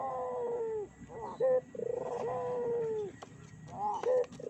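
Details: Barbary dove coos used as a lure for other doves. Long smooth coos slide gently downward, broken by short bright bursts and a few faint clicks.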